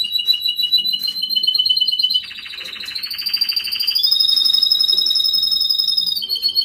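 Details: Mating call of a male canary, sung loud and fast as rolling trills of repeated whistled notes that step in pitch, with a harsher buzzy rattle in the middle section.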